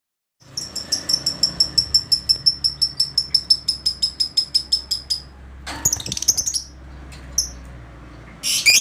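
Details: Lovebird agitated on meeting another lovebird: a fast series of about twenty-five shrill, high chirps at a steady beat over four seconds, then a few harsh, broken bursts after a short pause.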